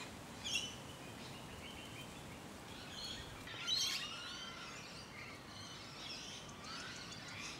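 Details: Musk lorikeets (Glossopsitta concinna) up close in Hunters Hill, a leafy Sydney suburb, Australia, late November to early December 2020; shrill, high, scratchy screeches in scattered bursts, loudest near the start and middle, over steady background hiss.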